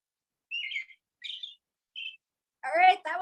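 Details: American Robin song, described as "cheerily cheer-up": three short, warbled whistled phrases with a brief pause between each, in a cheery caroling pattern; a woman starts speaking right after.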